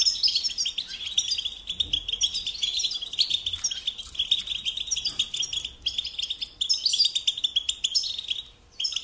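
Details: Song of a European goldfinch meant to teach young birds, a long, unbroken flow of high, jingling twitters and scratchy trills, falling briefly quiet near the end before continuing.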